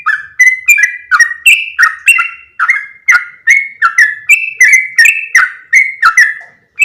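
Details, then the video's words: Calling yellow-vented bulbul, used as a lure to bring in others of its species. A steady, unbroken stream of about twenty bubbly chirps, each dropping then holding a clear whistled tone. "SUARA PIKAT BURUNG TRUCUKAN"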